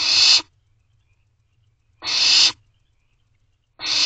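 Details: At 11:48 pm on 24 May 2023, wild barn owl owlets in Owl Box C beg for food; three loud hoarse hisses, each about half a second, about 1.7 seconds apart, silence between.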